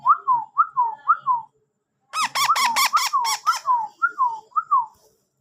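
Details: Trained rose-ringed parakeet chick whistling: a repeated series of short, clear up-and-down whistled notes, then a harsher buzzy burst of rapid notes, then more whistles, indoors.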